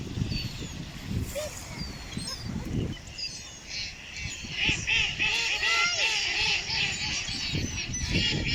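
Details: Ducks outdoors give a quick series of short, arched nasal notes, repeated several times a second in a burst midway, over low background rumble and faint talking.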